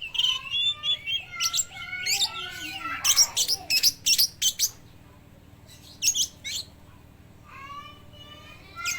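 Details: Speckled young oriental magpie-robin in peak song, imitating lovebirds, used to spur other magpie-robins to sing; fast rattling chatter of shrill chips that builds, then scattered sharp bursts and descending whistled notes near the end.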